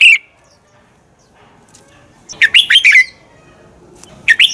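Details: Red-whiskered bulbul singing a fighting song used to train birds to sing: a short phrase at the start, then after a pause a burst of four quick whistled notes sliding up and down, and another phrase beginning at the end.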